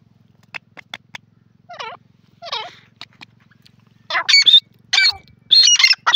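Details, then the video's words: Grey francolin calling in jungle. Scattered short notes and lower swooping phrases build into loud, ringing repeated calls with high tonal notes, with a faint low hum behind. "jungli teetar voice,grey francolin in ajungle,gora awaz"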